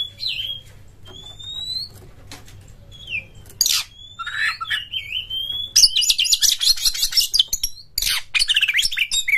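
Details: Oriental magpie-robin singing as a lure for other birds, with its tail open and high emotion: first thin rising whistles and slurred notes spaced apart, then a sudden surge of dense, high, rapid chattering song.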